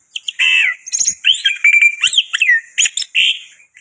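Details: Busy lure song of a black-winged myna (white starling): harsh chatter, rattling bursts and swooping whistled slurs tumble together without pause.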